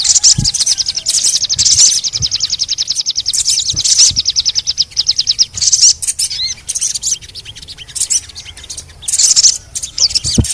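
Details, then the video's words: Crimson sunbird, sogon, used as a cret-cretan lure to make other sogon sing: long, fast, high rattling trills repeated in runs of about two seconds, plus sharp chirps and soft thumps. "TERAPI SOGON MALAS BUNYI❗PAKE AUDIO INI DIJAMIN BURUNG SOGON MANAPUN PASTI IKUT BUNYI GACOR NGLEPER"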